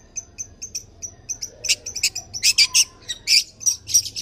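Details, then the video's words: Long-tailed shrike in mimic-rich song, a tame champion bird used as a model for other birds: a run of evenly spaced thin high whistles, then loud bursts of sharp, scratchy chirps. "BURUNG CENDET JINAK GACOR JUARA SUARA FULL ISIAN NEMBAK"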